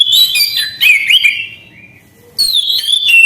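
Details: Orange-headed thrush delivering loud whistled song phrases with bright warbles, a short low whistle during a brief lull, then another clear sweeping phrase.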